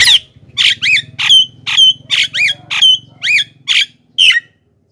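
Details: Javan myna calling to lure wild birds: a steady series of about ten loud, harsh squawks with whistled upward-bending notes, roughly two per second, over a low continuous mechanical hum.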